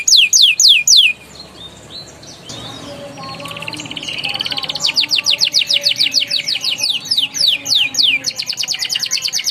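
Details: Canary song used as a training model to prompt young canaries to sing and roll: loud rising whistled notes repeated quickly, then a softer stretch with faint lower sounds, then long series of fast rising sweeps and buzzy trills.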